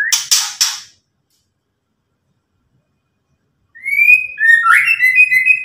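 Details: White-rumped shama: three quick harsh rasps, a pause, then a rich rising whistle running into ringing warbled notes.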